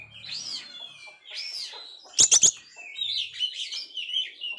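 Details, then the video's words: Oriental magpie-robin singing vigorously after a failed moult, song for rousing a downcast magpie-robin: two drawn-out arched whistles, a quick triple of sharp high clicks near two seconds, then a softer rambling warble. "Kacer gagal mabung ini sangat gacor sekali Cocok Untuk mancing Mental kacer drop"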